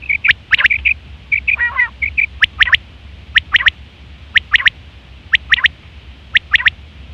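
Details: Female quail lure sounds for hunting: rapid soft chirps and clicks at the start, a short rasping burst, then regular click pairs and triplets repeated about once a second over a faint low drone.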